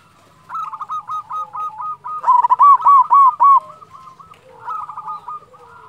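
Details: Local zebra dove, a persistent singer with a big voice, used to stimulate and lure other doves: fast, rolling trills of short cooing notes that swell into a louder bubbling run and then fade, in a quiet setting.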